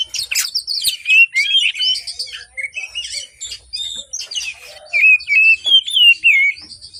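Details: Morning song of an Oriental magpie-robin, played to coax birds that are slow to sing. Rich, varied whistles and scratchy notes run together densely, then give way to repeated descending whistled slurs.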